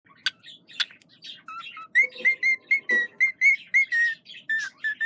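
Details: A cockatiel on a Sunday morning gives a fast run of short, clear whistled notes, each slightly rising then falling.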